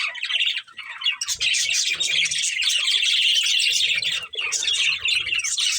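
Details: Breeding pair of budgerigars warbling and chirping in a long, dense stream of high chatter with a couple of brief dips.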